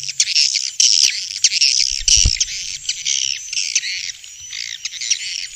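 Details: Swiftlets calling, a Vietnamese recording played to attract them to bird houses: loud scratchy twittering and chirps with thin whistled notes, one sharp knock in the middle.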